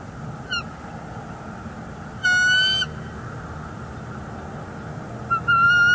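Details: Bald eagle pair at a nest in northeast Florida, 30 January 2024, with an intruder eagle nearby and the nesting female calling her displeasure; a short high note, then a longer clear piping note with bright overtones, and another at the end, over low hum.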